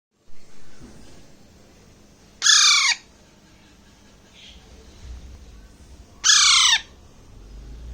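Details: Baby Alexandrine parakeet, a month and a half old, making sounds while eating grapes in Bangladesh: two harsh, raspy squawks about four seconds apart, each half a second long and falling at the end, over quiet room hiss.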